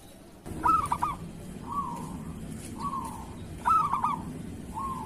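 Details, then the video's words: Zebra dove, a local bird, in kerot style, used to coax molting or lazy doves into song: two stuttering cooing phrases about three seconds apart, with gentle purring trills in between. "Suara perkutut lokal masteran perkutut kerot"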